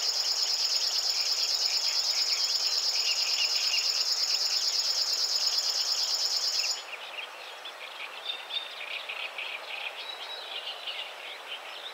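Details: River warbler song: a dry, insect-like mechanical trill of rapid, evenly pulsed buzzy notes, about three per second, sustained for nearly seven seconds before stopping abruptly, with softer chirping of other birds beneath and continuing afterward.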